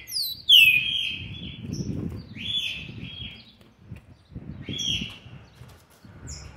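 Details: Green-winged saltator youngster aged seven months 20 days, 13/11/2020: a sharp bright whistle opens, then two shorter slurred whistled phrases spaced about two seconds apart over steady low rumbling background noise.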